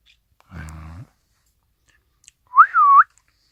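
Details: Pet Isabelle pearl cockatiel with a showy crest, filmed indoors on Christmas Day 2017, gives one clear whistled note that rises, dips and rises again, after a brief low murmur of human voice.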